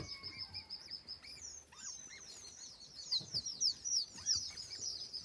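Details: Several white eared pheasant chicks peeping almost continuously, with high sharp chirps overlapping in quick succession and a steady thin tone underneath.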